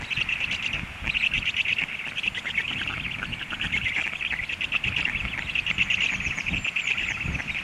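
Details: Hungry storklets begging after an adult flew out, calling in a clear, rapid, rattling high chatter that swells and dips in loudness over faint wind.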